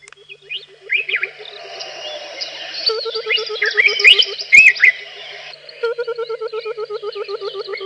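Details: Burchell's Coucal call played back at sunset, March 28, 2017, near a coucal sitting on an open plain: a low, liquid bubbling series of rapid hoots, about eight a second, with other birds chirping above. Said to signal that rain is coming.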